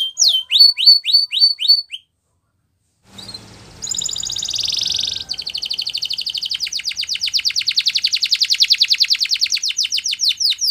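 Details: Spanish Timbrado canary training song: a few falling chirps, a pause, then a soft rattle building into a long, even, very fast metallic trill of clicking notes.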